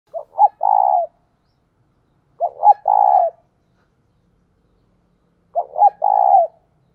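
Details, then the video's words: Decoy spotted dove cooing to lure wild doves: three phrases, each two short rising notes then a longer, steady, slightly trilled coo, repeated roughly every two and a half seconds with silence between. "Cu Gáy Mồi Thúc - Gáy Gọi Kích Bổi Mới Nhất"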